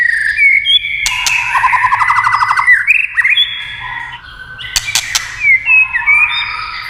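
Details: White-rumped shama, tail-tapping clicks used to excite its singing, producing a long fast trill under steady whistles, then scattered rising whistles and bursts of sharp clicking.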